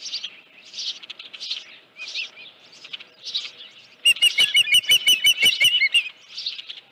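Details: Osprey at a ranch nest on 31 July 2018, headless fish at 9:43 AM; several soft, hoarse notes, then a sudden burst of rapid sharp chirps lasting about two seconds before quieter notes return.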